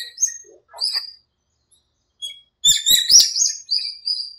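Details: High chirps and whistles from birds in a small park at dawn, breeding season and the rainy season, with a pause, then a dense outburst of twittering and rising whistled notes.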